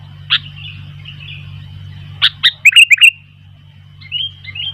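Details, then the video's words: Sooty-headed bulbul, wild ones growing noisy in reply: a sharp note, then a rapid burst of five or six bright liquid chirps, and softer whistled phrases at the end, low hum throughout. "Burung kutilang gacor ..sampai kutilang liar jadi ramai"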